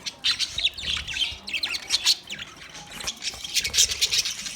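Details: Budgerigar chirping, quick bursts of shrill, scratchy notes in short clusters, separated by brief pauses.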